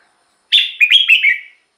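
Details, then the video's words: Song of a red-whiskered bulbul used as a decoy or to rouse other birds: a single lively one-second phrase, a strong first note then a string of rolling, bubbly notes that drop in pitch at the end. "เสียงนกกรงหัวจุก สำหรับต่อ หรือ เปิดให้นกคึก เสียงเพราะๆ"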